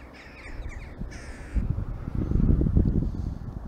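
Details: Several short, harsh, nasal 'chack' calls from jackdaws come in a quick run, then one louder squawk, recorded in southwest Finland in winter where goldfinches fed on alder seeds; a low rumble of wind follows.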